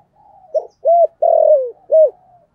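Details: Single loud phrase from a spotted dove of the 'thổ sấm' voice type: four low coos, the third long and sliding downward, with a soft murmur before it.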